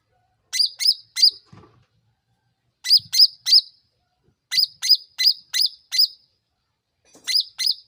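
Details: Sooty-headed bulbul chirping in bursts to goad birds into replying: clusters of three, three and five sharp high notes, each dipping downward, separated by short gaps, with faint low thumps between.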